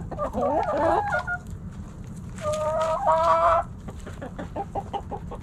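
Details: Backyard chickens, hens and roosters, snacking at Thanksgiving: a wavering, rising-and-falling squawk, then a long, steady, drawn-out call held for about a second, followed by quick, soft clucks repeated almost three times a second.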